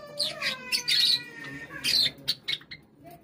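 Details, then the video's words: Several Java sparrows give sharp, bright chipping notes in quick, overlapping bursts, forming a loose chattering chorus over about three seconds. "java sparrow sound"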